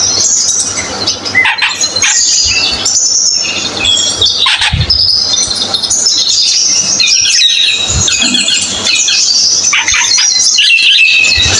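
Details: Dense, continuous high-pitched twittering and chattering of a cucak keling, with a few faint low thumps in the background.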